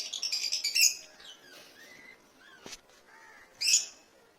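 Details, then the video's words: African lovebirds in an aviary in Kerala give a second of rapid, shrill, screechy chirps, then soft whistled notes, and one more harsh burst near the end. "African love birds"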